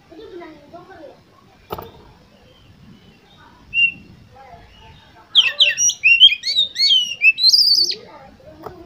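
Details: Oriental magpie-robin song used to spur competition birds into singing: after faint low chatter and a click, a loud burst from about five seconds of rapid whistled and slurred notes, some rising, with buzzy high accents.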